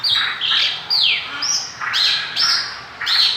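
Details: Mongolian lark in full (gacor) song: loud, high whistled phrases with steep falling slurs and harsher squawky notes, repeated in short bursts about every half second.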